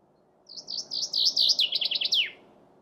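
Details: A chaffinch delivers one full song phrase: about a dozen high, accelerating notes stepping down in pitch, finishing with a quick falling terminal flourish.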